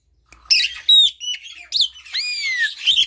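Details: Song of an Asian pied starling, used to stir silent birds into song: clear falling and rising whistles mix with rasping, squawky notes in a varied, jumbled phrase.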